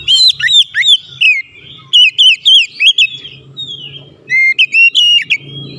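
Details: Oriental magpie-robin (kacer) in full song while challenging and answering a rival: dense clusters of fluty whistles and sharp chips come in three bursts separated by brief quieter gaps, with a faint low hum beneath.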